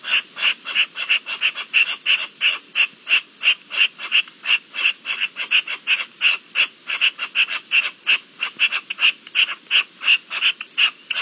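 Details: Partridge in the breeding season, 27 April 2021, giving a long, rhythmic chatter of loud rasping notes, about three per second, kept up steadily for over ten seconds with no other sounds clear.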